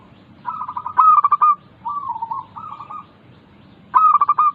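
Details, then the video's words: Song of a caged local zebra dove, played to get lazy doves singing: quick pulsed coos build into a loud stuttering burst, then gentle rolling coos, before the next loud pulsed phrase returns. "Pancingan Burung Perkutut Lokal ampuh untuk mengatasi malas bunyi"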